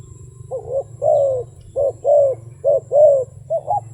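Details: Wild dove in a rapid run of about seven mellow, low coos, some short and clipped, others drawn out and slurring downward, against a steady low hum.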